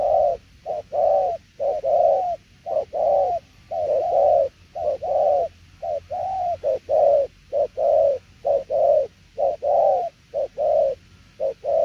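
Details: A long run of spotted dove coos in the 'đồng tiểu liên nước' style: paired short and longer hollow notes, steady and rhythmic, about one per second, over a quiet background.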